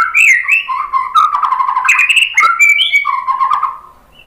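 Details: Shama song played as a lure to set other birds singing. A dense, bubbling warble of overlapping whistled phrases with some buzzy and clicking notes runs for about four seconds, then fades out.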